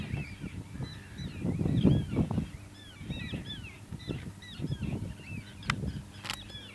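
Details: Several pied avocets calling on Texel, the Netherlands, 06-07-2013: a busy run of quick, bouncing upslurred and downslurred whistles, uneven in rhythm, against a low rumble and two sharp clicks near the end.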